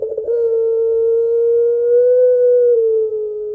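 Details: Puter pelung Barbary dove calling for its mate, kept as a lure bird, holding a single long, level coo for over three seconds that swells slightly near the end before easing down.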